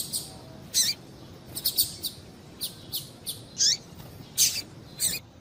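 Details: High, thin call notes of a female double-collared seedeater, used to rouse males to sing: quick chirps repeated irregularly, several with a descending slur, over steady low background noise.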